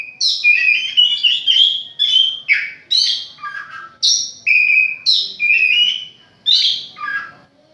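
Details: Oriental magpie-robin kept at home, singing a varied run of loud whistled and warbled phrases, each about half a second long, jumping between high and mid pitches with short gaps.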